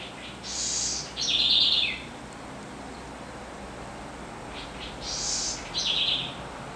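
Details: Southern house wren, a small bird with a strong, vibrant voice, singing two short bursts: a high buzzy note followed by a lower rapid trill, repeated after a pause of about three seconds, over faint background hiss.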